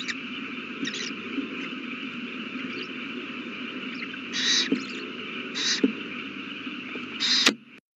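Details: Nest camera at 8:32 pm on 18 April 2019, owl with a newly hatched chick: a few harsh, breathy screechy bursts near the end, the last loudest, then the sound cuts off, under a constant low hum.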